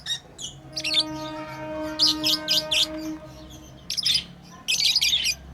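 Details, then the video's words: Playing pet lovebirds chirp in quick, scratchy high bursts, in clusters of three or four, over a steady low tonal hum with several layered pitches. "Lovebirds playing & Chirping sounds"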